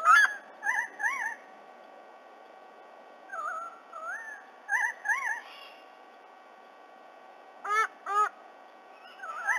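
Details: A black currawong, with its mate, swooping a fledgling white-bellied sea-eagle back to its nest in Australia at 9:26 a.m. on 30 October 2020, gives loud, ringing, bent notes in paired bursts every second or two, over faint hiss.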